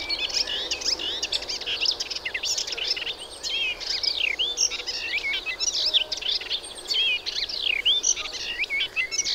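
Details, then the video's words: Energetic song of a Melodious warbler: a long, unbroken stream of varied high chirps, trills and swooping whistles delivered rapidly and loudly throughout. "Hypolaïs polyglotte"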